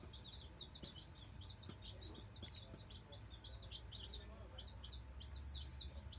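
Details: Dense, steady peeping from nine Black Australorp chicks just placed in their brooder: short, high, slurred notes overlapping constantly over a low droning background.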